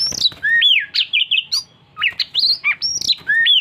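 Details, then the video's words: Oriental magpie-robin (kacer) song: loud, sweet whistled notes that slide downward and upward, broken by quick chattering bits, in a steady stream of varied phrases. "Burung Kacer ngajak Ngopi"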